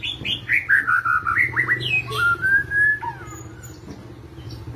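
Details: White-rumped shama in gacor kretetan song, used to provoke other birds: a rapid descending cascade of whistled notes, quick upslurs, then a drawn-out rising whistle fading into a quiet background hum.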